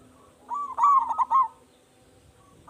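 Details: Local zebra dove with a big voice calling to provoke other doves to answer: one soft, warbling cooing phrase of rapid fluttering notes lasting about one second, over a faint low hum.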